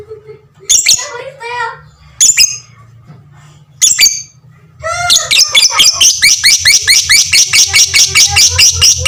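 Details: Fighter lovebird giving a long ngekek, used as a master recording to train all kinds of lovebirds: a few harsh squawks with pauses, then a fast run of high, sharp, repeated chattering notes, about two to three per second.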